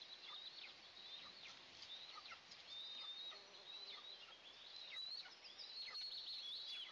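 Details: Eastern imperial eagle (Aquila heliaca) nest with two eaglets at the first feeding of the day, June 29, 2024. Busy run of high, piping whistles and quick falling chirps, some drawn-out notes near the end, with constant background hiss.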